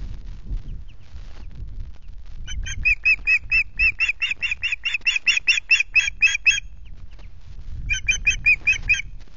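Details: Great tits at a nest in July: a rapid run of high, bright chipping notes repeated about three times a second for four seconds, then a shorter burst, over low rumbling background noise.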